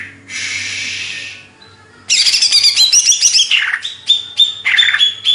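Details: Hyper song of a greater green leafbird from Banyuwangi, Indonesia: a harsh rasping phrase, a pause, then rapid varied chatter mixing squeaky whistles, buzzy notes and short repeated chips.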